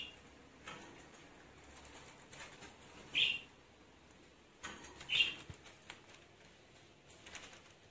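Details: Lovebird being coaxed back into its cage: two sharp, high-pitched single chirps about two seconds apart, with soft wing flutters and rustling noises between them.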